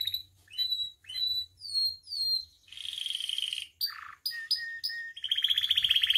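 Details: Canary song recorded for training caged canaries: repeated descending whistles, a dense buzzy trill, short sharp notes and a closing rapid trill, with faint low rumble underneath.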